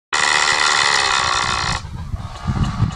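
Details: Displaying red-footed booby on Genovesa Island, Galapagos, gives one long, harsh, buzzy squawk of nearly two seconds, followed by wind rumble.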